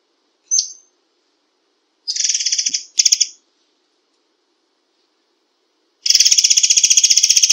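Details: White-rumped shama giving a 'tembakan rapat' rapid-fire song: a sharp high chip, then dense buzzy rattles of fast repeated notes, ending in a long, steady, machine-gun-like trill with quiet gaps between.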